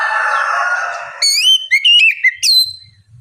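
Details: Oriental magpie-robin, ngeplong style, played to make lazy birds answer: a steady rough noise gives way to loud whistles, a few sliding notes and a final high downward-curving whistle.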